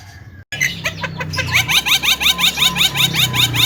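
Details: Tame Javan myna, a talking bird, giving loud rapid chatter of sharp sweeping notes, about three per second and growing steadier, over a faint low hum.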